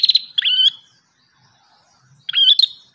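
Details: Ashy tailorbird in lively song: a rapid rattle leading into a bright, level whistle, then silence before a second matching whistled phrase ends in a clipped note.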